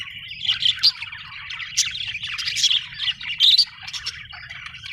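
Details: Happy budgie chatter: dense, busy warbling with sharp chirps and a few clear whistled notes, loudest in short bursts, over a soft low rumble.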